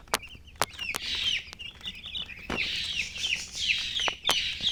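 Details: Several baby chicks chirping together, dense high peeps sliding downward in quick bursts, interrupted by a few sharp tapping clicks.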